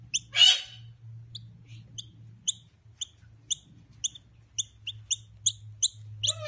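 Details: Two hand-raised Noisy Miner chicks being taught to feed themselves before release to the wild; a harsh, scratchy opening burst, then short, high, sharp chirps repeated about every half second, over a steady low hum.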